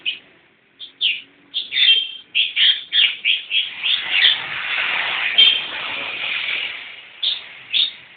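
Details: Young long-tailed shrike singing: a string of harsh, scratchy notes repeated roughly twice a second, with a few thin whistled elements mixed in, then a stretch of continuous rough chatter.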